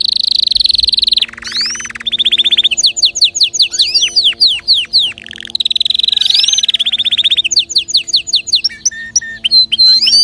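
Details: Canary song for stimulating other birds to sing: long buzzy trills alternate with rapid repeated notes and sweeping whistles, loud and continuous, over a faint low hum.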